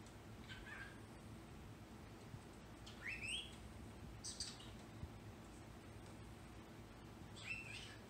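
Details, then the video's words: A female pet bird jumps on the screen and gives four short, harsh screeches that sweep upward, said to be yelling her own name, unevenly spaced over eight seconds over a low indoor hum. "yells her name"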